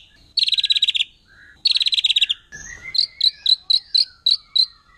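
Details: Wild forest white-rumped shama in its 'nembak' burst song, said to provoke other shamas: two rapid buzzy rattling trills, then a low slurred whistle and a series of sharp bright notes spaced about a third of a second apart.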